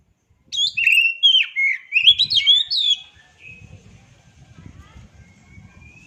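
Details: Oriental magpie-robin song opening with loud, fast whistled slurs and twisting notes, then trailing into soft, thin whistles over faint low rumbling.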